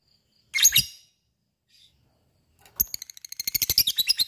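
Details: Lovebird ngekek meant to provoke singing: one harsh high squawk, a quiet gap, then a quickening series of sharp chirps building into a fast chatter.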